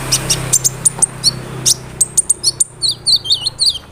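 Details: Olive-backed sunbird song played as a lure to make other sunbirds respond: sharp, very high chirps and ticks in an uneven series, then a quicker run of twisting, warbled high notes near the end.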